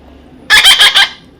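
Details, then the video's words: Young parrot giving one harsh call broken into four quick pulses, while a person coaxes it to come here. "natural funny parrot sound"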